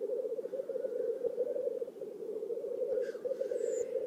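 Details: Courtship display of black grouse in a Finnish swamp at Oulu on 5 May 2022: dense, low, rolling bubbling coos run throughout, and a short hissing sneeze plus a thin high whistle come near the end.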